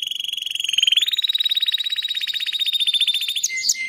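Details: Canary song: a loud, very fast rolling trill held at an even pitch for over three seconds after a short lower start, closing with a brief chirp.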